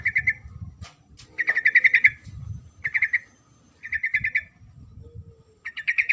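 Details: Female sooty-headed bulbul calling a male: short bursts of fast chattering notes recurring about every second, over low rumbling noise and a few sharp clicks.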